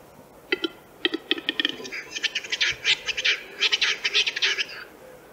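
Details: In Central Russia, a western capercaillie gives a few sharp, dry clicks that speed up into a dense run of rattling, scraping bursts, then stop abruptly.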